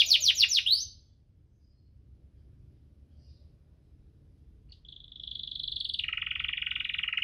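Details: Canary singing in the cuit-cuit ngerol style, played as a lure to prompt lazy canaries to sing. A quick burst of repeated buzzy notes opens, then a pause, then a long high rolling trill that drops lower near the end.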